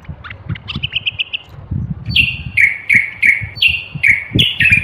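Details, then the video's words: Common bulbul (Moroccan bulbul, North Africa) singing: a short fluttering trill of whistles, then a regular series of strong downslurred whistled notes, over faint low noise. "البلبل يتميز هذا الطائر بصوته العذب ويُطلق عليه أحيانًا صفير البلبل"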